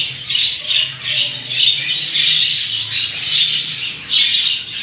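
Budgerigars chatter continuously with high, scratchy warbles and squawks.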